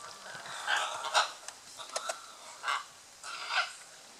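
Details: Courting scarlet macaws, Playa Blanca, La Palma, Osa Peninsula, Costa Rica, give short hoarse squawks and brief clicks in a loose series, about one every half second to second.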